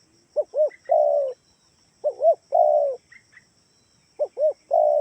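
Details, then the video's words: Kalimantan spotted dove lure call to draw replies from other doves: three-part coo repeated roughly every two seconds, two brief hoots then a long slurred note, with small high chirps in between. "gunakan suara tekukur ini || di jamin pasti yg di rumah ikutan bunyi"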